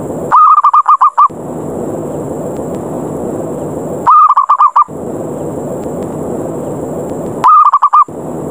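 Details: Zebra dove lure call, 'ngerot' style, challenging rivals to fight so any dove is drawn down: three short runs of rapid, clipped, mellow coos, each under a second, spaced about three seconds apart, with steady hiss filling the gaps.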